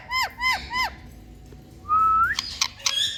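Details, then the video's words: Parrot in India uttering three arched whistled notes, then a rising drawn-out whistle and a few sharp clicks, over faint background hum. "Mithuu Ke Awaaz🥀Parrot Sounds Miya Mithuu"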